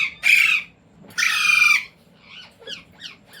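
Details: Indian Ringneck parrot kept at home and taught to speak gives two loud harsh bursts, followed by a run of soft, quick, downslurred chirps.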